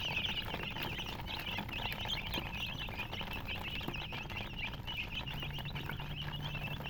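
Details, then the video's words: A group of colored chicks gives a continuous chatter of high, sharp peeps, densely overlapping, with a low hum in the background. "silly chicken chirping sounds"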